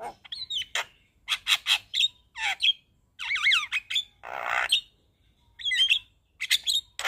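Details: Javan myna singing in a varied, chattering stream: clipped whistles, looping warbled notes and a harsh raspy squawk midway, split by brief silences.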